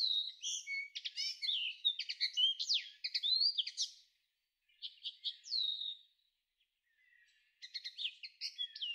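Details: A common linnet in May 2013 gives fast, varied twittering phrases of bright chirps and short trills, three bursts with brief pauses between.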